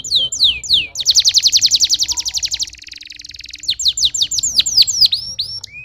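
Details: Canary song opening with swooping slurred whistles, then long rapid rolling trills of identical notes, a softer buzzy trill, and finally a run of sharp descending chirps, loud and continuous.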